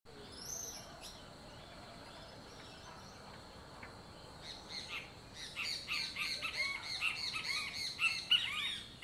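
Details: Great kiskadee calling on a winter morning: loud, harsh, rapid notes crowding together in the second half, with a few thin high whistles before them.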